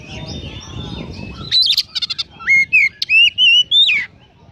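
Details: Oriental magpie-robin in loud song with sparrow mimicry: after a noisy opening, a burst of buzzy rattles, then clear whistled notes and slurred rising and falling phrases around two to four kilohertz.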